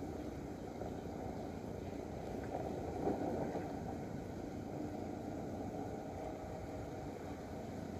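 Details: Steady low rumbling background noise, like wind or distant water, with nothing else distinct.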